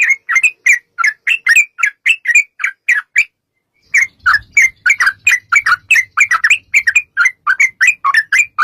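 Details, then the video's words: Yellow-vented bulbul in lively long rapid song, played as a lure to make other bulbuls sing and answer; described as a female calling males. Loud, mid-pitched chirping notes repeated about four per second, with one brief pause. "trucukan gacor TARUNG ROPEL PANJANG pancingan trucukan agar bunyi"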